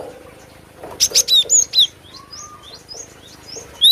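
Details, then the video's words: Cinereous tit giving a short run of high, sharp, slurred whistle notes, followed by softer, thinner chirps and one low steady tone, ending with a final loud whistle. "SUARA ASLI BURUNG GLATIK BATU"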